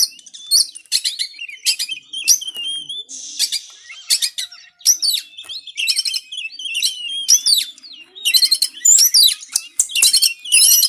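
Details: Training song of a white-rumped shama for idle caged birds: a long, fast run of mixed whistles, sharp chips and rattling trills, with a brief buzzy hiss near the middle and dense phrases throughout.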